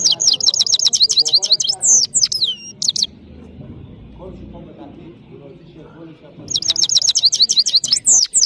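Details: Powerful song of a European goldfinch from Parachinar: rapid twittering high notes and trills in two bursts, separated by about three seconds of quiet with low background rumble.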